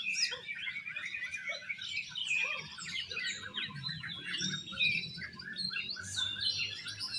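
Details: Oriental magpie-robins in a songbird competition give exotic-style song, a nonstop mix of bright piping whistles and harsh chatter from several birds at once, with occasional lower notes and low background noise.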